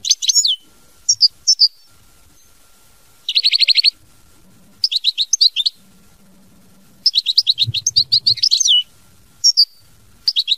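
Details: ['European goldfinch singing in the mama binette style: scattered high twittering phrases with rapid buzzy trills and sliding tinkling notes, separated by short pauses, with faint low background noise.']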